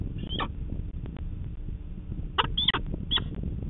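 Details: Peregrine falcon chick at a Manchester, New Hampshire nest, on a live cam in June 2019, calling to its parents for breakfast in the morning; harsh, rasping wails in short bursts over heavy low rumble and wind noise.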